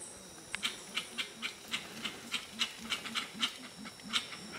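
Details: Gray-winged trumpeters calling at Tiputini Biodiversity Station in the Ecuadorian Amazon: a run of low, soft hooting pulses repeated several times a second, with sharp high ticks and clicks scattered above and steady faint insect hiss.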